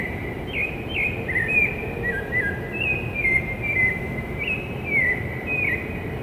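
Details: Rufous-bellied thrush singing before dawn in São Paulo city on 11 September 2017, a flowing run of clear, fluty whistled phrases that rise and fall, over a steady low city hum.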